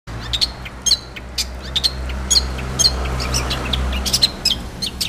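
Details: Long-tailed shrike singing vigorously: sharp, high chirps and short squeaky notes delivered about twice a second in an irregular, lively rhythm, over a faint low background hum.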